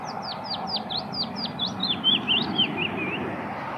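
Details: Wood warbler song that opens with a steady series of high, steeply falling notes, then shifts to lower, looping twitters, all against a soft background hiss.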